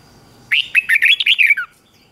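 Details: Red-whiskered bulbul singing in the morning: a single lively phrase of seven or eight quick, clear, slurred whistled notes, ending on a falling note, over quiet background.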